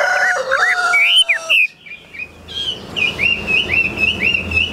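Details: Chinese hwamei, a caged songbird offered for sale, gives a run of high, clear whistled notes, each slurred upward, about two per second, after a loud, harsh, rooster-like call.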